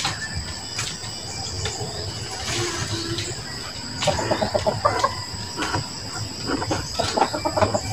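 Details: Tame, free-ranging Sumatran red junglefowl, let out in a setting like its native habitat, gives soft, quick clucks in short bursts in the second half, over a steady high insect-like buzz and background rustling; red junglefowl.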